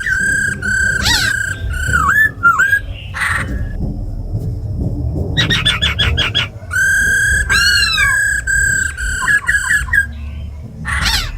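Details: Female laughingthrush with 'ro khẹt' rattles and a tame khướu mun singing 'giọng rừng', played to excite other birds: bright held whistles, a dense burst of quick stacked notes, then more long whistles with dipping ends.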